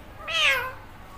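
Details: Green Indian ringneck parrot imitating a cat's meow: a single drawn-out, nasal, falling 'miaow' rich in overtones, about half a second long.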